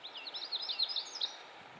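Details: Magnolia Warbler in Maine, a bird of mixed, more coniferous habitat, sings its weak song, a short, high, sweet phrase of about eight quick slurred notes in just over a second, ending in a brighter upswung note, over faint hiss.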